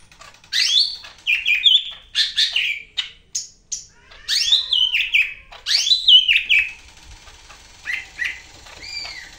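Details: Vigorous song of a Greater green leafbird from Medan: loud, varied whistled and chattering phrases packed closely together, swooping up and down, fading into softer scattered notes near the end.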